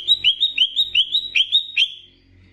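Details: Greater green leafbird song from Banyuwangi, used as training material to raise a leafbird's excitement. A rapid series of ringing, upslurred high whistles, about six each second, that fades out after two seconds.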